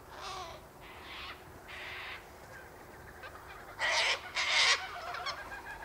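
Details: Sulphur-crested cockatoos in winter, eating sunflower seeds, wheat and birdseed mix scattered by the eastern gate; harsh, raspy screeches, three moderate bursts followed by two louder, longer squawks close together near the end.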